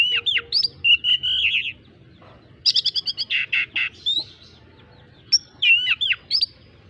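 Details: Oriental magpie-robin singing a song filled with squirrel imitation: loud, sweeping whistled phrases with sharp up-and-down notes, a burst of fast, evenly repeated chattering notes in the middle, then more twisting whistles after a short pause, over a faint low hum.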